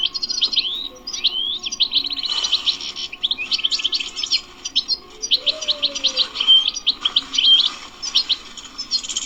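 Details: European goldfinch, a wild-caught bird at a Sunday bird market, delivering a lively run of twittering notes, rapid trills and bright whistled slurs; a soft low hum and a brief lower rising note in the background.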